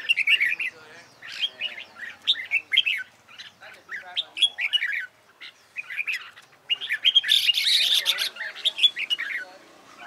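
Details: Competition-style song of a red-whiskered bulbul in training: rapid chattering whistled phrases in repeated bursts, with a loud harsh broadband rush of noise late in the recording.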